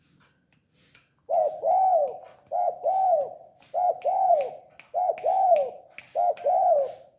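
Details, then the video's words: Tame spotted dove calling persistently: after a quiet second, steady paired coos, each a short clipped note followed by a longer arched, mellow coo, repeated about every 1.2 seconds in five phrases. "Burung tekukur gacor jinak"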